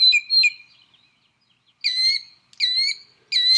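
A northern mockingbird copies a killdeer with five shrill, clear, high notes in short bursts: two quick ones, a pause, then three longer, slightly slurred calls.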